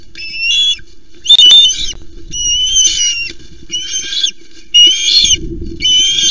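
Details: An Osprey at a Loch Arkaig nest on 1 September, as a male brings three small flounders, gives five shrill, whistled calls, each about half a second long and close together, over a steady low electrical hum.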